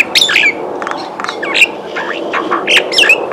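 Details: Common myna in Kashmir; a loud jumble of varied squawks, gurgles and sharp whistled notes, some rising and falling quickly, with chattering bursts.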